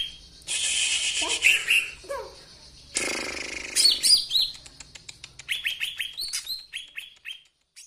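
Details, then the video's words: Master-recording songbird for cage-bird training: harsh rasping buzzy bursts give way to a quick jumble of twittering, then a run of rapid, evenly spaced downslurred chirps that fade out. "MASTERAN KICAU"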